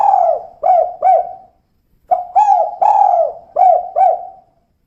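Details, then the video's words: Female spotted dove giving the call called kuk 2: low hooting coos in two phrases, each three or four notes, the coos dipping and falling in pitch. The background is quiet, with a brief pause between the phrases. "Suara Burung Tekukur Betina Kuk 2"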